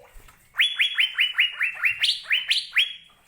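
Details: Asian fairy-bluebird delivering a steady series of about eleven ringing, up-slurred whistles, spaced under half a second apart, a few pitched slightly higher toward the end.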